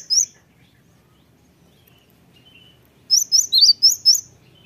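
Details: A cinereous tit sings in a lure recording to make other birds answer: one lone high chirp, a pause, then a burst of six bright, sharp chirps alternating in pitch.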